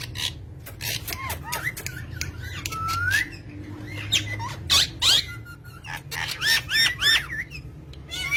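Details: Parrots, described as talking green parrots, giving a busy mix of short sharp chirps, bright rising and falling whistles and squeaky notes, with loud bursts near the end over a low background hum.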